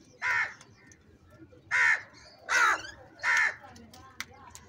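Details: Four harsh, nasal caws from crows competing for food, spaced roughly one to one and a half seconds apart, over quiet background chatter.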